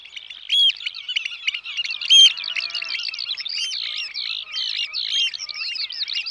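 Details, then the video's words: Eurasian oystercatcher from Holland calling with a dense run of sharp, high piping 'kleep' notes. Sudden louder peaks rise above a continuous, excited stream of overlapping calls. "Scholekster - Eurasian Oystercatcher - Haematopus ostralegus"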